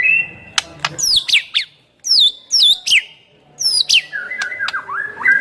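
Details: White-rumped shama singing vigorously, its full song packed with varied phrases and used to provoke other shamas into answering; loud slurred whistles, sharp clicks and steeply falling sweeps come in bursts, with a short pause near the middle.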